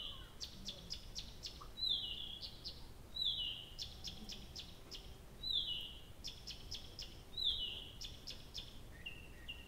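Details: Night song of a nightingale at Abramtsevo in early June, recorded from 23:00 on 6 June 2021: bursts of rapid repeated sharp notes alternating with descending pure whistles, phrase after phrase, over a quiet noisy background.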